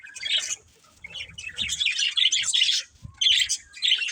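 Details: A breeding pair of budgerigars chirping: dense bursts of bright, scratchy chirps and warbles, overlapping and nearly continuous, with short pauses around half a second and three seconds in.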